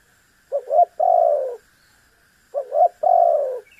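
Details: Spotted dove calling to make a rival respond: two identical phrases about two seconds apart, each with a pair of short rising hoots followed by a long mellow coo gliding downward.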